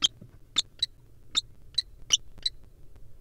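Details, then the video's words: Wild common kestrels courting inside a barn owl nest box: a series of sharp, high, clipped chips, seven or so spaced irregularly over three seconds, over a faint low hum. "Kestrels Courting In A Barn Owl Nest Box!"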